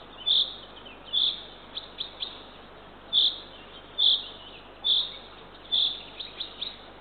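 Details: Owlet of the Eurasian eagle-owl, the third chick, fed by its mother at an Estonian nest, 6:21 am, 3 June 2023. Evenly spaced high rasps alternate with brief clusters of short, thin rising chirps.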